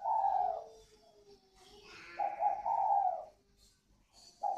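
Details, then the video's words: Northern Vietnam spotted doves, a pair in còi vang and thổ xịn voice styles, from a bird garden in Ba Vì, Hanoi. Deep rolling coos, one at the start, a longer phrase midway, and another beginning at the end. "Thưởng Thức cặp đoi chim cu gáy CÒI VANG _ THỔ XỊN (cu gáy miền bắc)"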